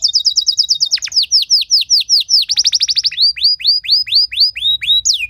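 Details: Canary training song meant to draw other canaries into singing: rapid rolls of high downslurred notes, shifting into slower series of curved rising-falling whistles, ending with a sharp upward note, all high-pitched and continuous.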